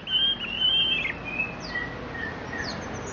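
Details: A captive leg-ringed orange-headed thrush gives a rich, warbled phrase of sliding whistles, then softer scattered high notes over a steady background hiss.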